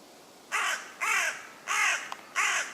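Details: A common raven croaking in a tree in woodland in West Sussex, England, gives four harsh, hoarse calls, each under half a second, roughly every two-thirds of a second, over a quiet background.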